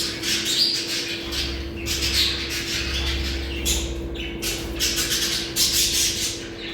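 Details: Budgerigar chatter used to stimulate mating: busy high warbles, clicks and short squawks in bursts, over a constant low hum and faint thumping in the background.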